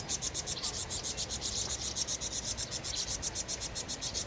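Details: Under a Eurasian jay's attack, vinous-throated parrotbill keeps up frantic high-pitched chipping, steady pulses near four per second throughout.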